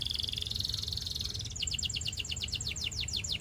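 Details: Russian canary song: a sustained high buzzy trill gives way to a run of quick downward-swept whistled notes. A noticeable low rumble of background noise sits beneath.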